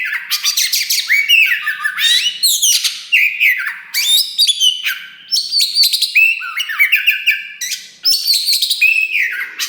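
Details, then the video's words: Loud, continuous singing of a kacer wulung, the Oriental magpie-robin, meant to trigger rival birds to sing; long bursts of mixed whistles, rattling chatter and harsh notes separated by brief gaps. "KACER WULUNG RAJA LANGKA GACOR DOR !! BARU DORONG EKOR TAPI GACOR SUARA KERAS TOA || VOICE OF KACER"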